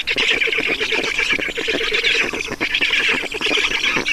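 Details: Black stork chicks begging while fed at an Estonian nest, 5 June 2019, 16:28; dense, continuous harsh rasping chatter with rapid pulsed notes, steady throughout without pauses.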